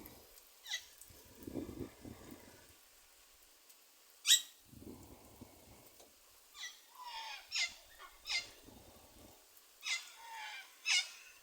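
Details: Pet quaker parrot outdoors on a forest outing: short, sharp, high chirps in a loose series a few seconds apart, some with a lower whistled tail, over soft low rustling and handling noises.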